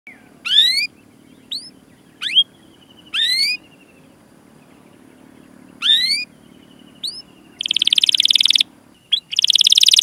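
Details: Canary song used to train canaries to sing: scattered short upswept chirps and brief phrases separated by pauses, then a dense buzzy high trill near the end.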